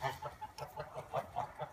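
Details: A flock of six farm Toulouse geese settling for the night keeps up quick, nasal overlapping honks, about seven calls in under two seconds, close and fairly loud.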